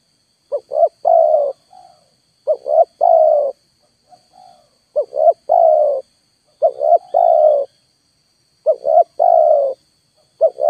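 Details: Spotted dove used as a lure call while wild birds stay away. Mellow phrases of two brief rising notes and a drawn-out falling coo, repeated five times with quiet gaps and faint softer notes between.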